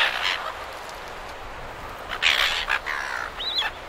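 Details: Silver gulls, several birds, recorded near surf in Perth, Australia: scattered harsh squawks and a short rising-falling nasal cry near the end, set against constant wave noise.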